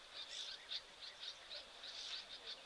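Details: Dark-capped Bulbuls at an African waterhole give harsh, scratchy chattering notes, several bursts a second, high-pitched and fairly distant, possibly a mobbing or alarm call, over faint background hiss; recorded 2 November 2024.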